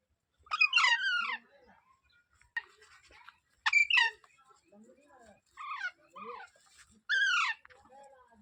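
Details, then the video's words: Parrot chattering with repeated harsh descending squawks and shorter mumbled, speech-like notes in between, loud calls coming every second or two. "Natural Parrot Sounds"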